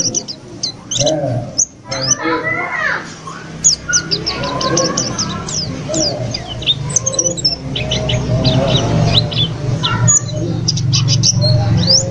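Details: Newly acquired caged white-eye, three days in its new home, singing eagerly: dense runs of sharp, high chirps and short whistled slurs, with lower chatter and a rising background rumble toward the end.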